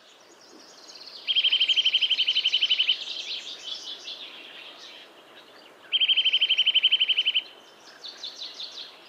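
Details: Eurasian nuthatch in a yard at Joroinen, Finland, singing two fast, even trills of clear repeated notes, about twelve per second, each lasting roughly one and a half seconds, with fainter, higher bird chatter between and after them.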